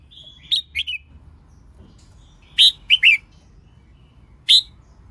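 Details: Red-whiskered bulbul, a female singing to stimulate males to sing, gives short, bright, bubbling whistled phrases in three quick bursts over five seconds; otherwise quiet.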